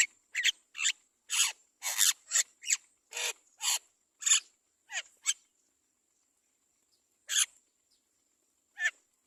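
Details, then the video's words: Great myna chick fed by its mother, giving a rapid series of rasping, noisy begging calls, about a dozen in quick succession, then a silent pause and two more single rasps. "Mother bird Great myna feeds the baby carefully"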